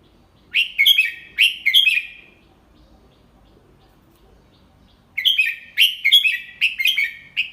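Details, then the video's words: Adult Red-whiskered bulbul teaching young birds the double-three (เบิ้ล3) song, delivered slowly and clearly. Two bright warbled phrases, the first of about four notes and the second longer with five or six, separated by a long silent pause. "เสียงนกกรงหัวจุก ใช้สินก็อปเสียงลูกนกได้"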